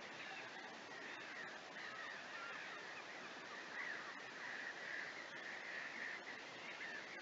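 A dense flock of barnacle geese keeps up steady, overlapping yapping barks, high and dog-like, blending into a constant chattering roar.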